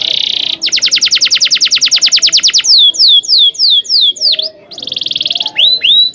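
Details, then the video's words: Canary rolling song used to teach young canaries: a steady fast trill of repeated notes for two seconds, then looping falling whistles, a dip, another rapid trill and rising chirps. "kenari gacor panjang cuit cuit ngerol ini ampuh buat PANCINGAN KENARI paud belajar bunyi"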